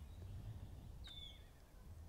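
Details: Wood Warbler high in an oak tree in Exmoor oak woodland in spring, giving a short contact call, not full song: one plaintive whistled 'pew' sliding downward, over a steady low rumble of wind or distant traffic.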